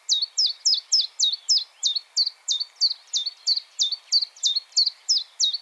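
A common chiffchaff sings a steady run of high, sharp chiff-chaff notes, about three every second, over a faint background hiss.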